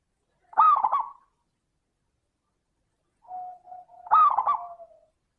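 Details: Local zebra dove (perkutut) singing a crystal-voiced lure phrase meant to prompt lazy doves to sing: two loud fluttering, rolling coos about three seconds apart, the second preceded by a soft level hum.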